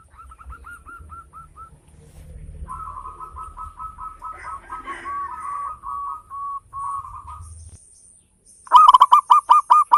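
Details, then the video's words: Local zebra dove used as a singing lure: soft, quick series of short cooing notes, a longer murmuring run in the middle, then a loud burst of rapid rolled coos at the end. "Perkutut lokal gacor suara besar ketukan indah cocok buat pancingan perangsang bunyi"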